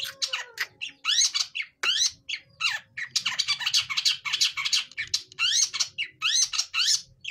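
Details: Young long-tailed shrike learning to sing, producing a loud, dense, almost continuous jumble of scratchy chattering notes and rising sweeps, delivered rapidly throughout.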